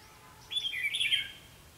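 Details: Red-whiskered bulbul decoy singing to fight during trapping. One short, lively warbled phrase of sliding notes, quickly rising and dropping, over a quiet background.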